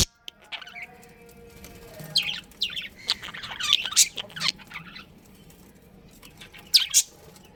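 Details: Pet budgerigars of a breeding pair give a loose run of bright, high chirps and short twittering notes in the middle, then a final sharp squeak, against quiet room hum.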